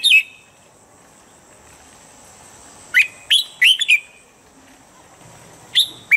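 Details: Standard morning training song of a red-whiskered bulbul, said to get birds into top form quickly: an opening whistle, a pause, then a lively string of four or five slurred, liquid notes and two more whistles.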